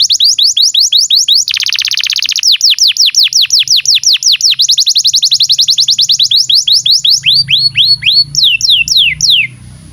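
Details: Canary in continuous song, used to train young and non-singing canaries: rapid down-slurred notes, a buzzy rolling tour, a long fast trill, and closing swooping whistles.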